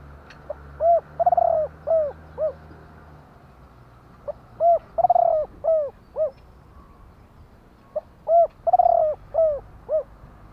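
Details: A spotted dove delivers three near-identical cooing phrases at roughly four-second intervals, each a soft lead note, a mellow coo, a long tremulous coo, and two falling coos, over a faint low hum.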